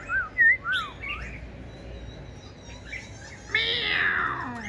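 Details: Tame caged Black-throated Laughingthrush that sings all day: a few loud, clear whistled slurs rising and falling in the first second, then quieter notes and a harsh broadband burst near the end.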